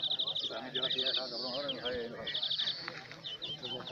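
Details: European greenfinch competing in the first greenfinch song contest, El Torviscal, Seville, 2018: quick runs of clipped ringing notes and a drawn-out buzzy tone, partly masked by loud conversation from people close by.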